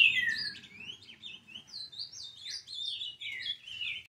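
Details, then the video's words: An ultramarine grosbeak eleven months old, still brown-plumaged, opens with a clear descending whistle, then runs into a choppy series of short slurred notes in pulses, over faint low rumbling. "Azulão Pardo Com 11 Meses de idade Dando Um Show de Canto"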